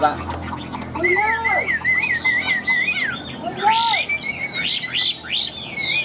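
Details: Chinese hwamei, tame cage bird with a strong, ringing voice, singing a wavering whistled trill that dips and rises, followed by short swooping notes and brighter upslurred whistles.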